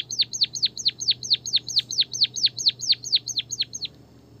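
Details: White-headed munia lure recording, used to train and stir lazy captive munias into song: a quick run of about fifteen high, thin notes dropping sharply in pitch, roughly four per second, over a faint steady hum.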